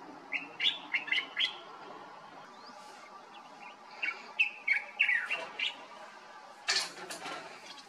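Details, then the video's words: Common bulbul singing in Morocco during summer, a bird that calls every morning: scattered bursts of liquid, slurred chattering notes in irregular clusters, with a noisy background and a brief loud rustle near the end. "Common bulbul sound in Morocco, (Pycnonotus barbatus), bird song"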